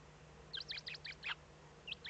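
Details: Dawn at a Eurasian eagle-owl nest, Eifel, Germany, 8 April 2014, first chick hatched; loud, close, high squeaky notes in a fast run of about six, a brief pause, then two more.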